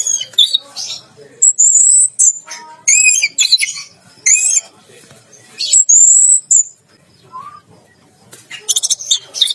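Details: Caged orange-headed thrush bathing and singing 'teler gacor': loud separated phrases of rising high whistles and slurred notes, a long pause with a soft low note, then a final harsh chattering burst.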